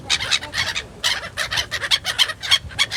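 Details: Gulls calling in Yakutsk: many overlapping harsh, nasal yelping cries in rapid chattering bursts, several birds at once, with steady background noise.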